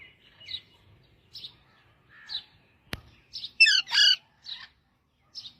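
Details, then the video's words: Parrot singing: scattered high chirps, a sharp click, then two loud, harsh squawks with stacked overtones, followed by more short chirps. "parrot singing"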